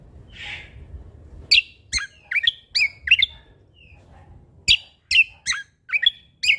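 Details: Sumatran leafbird from Lombok singing vigorously: a short buzzy note, then sharp downward-sweeping chirps in loose bursts with brief pauses, over a faint low hum.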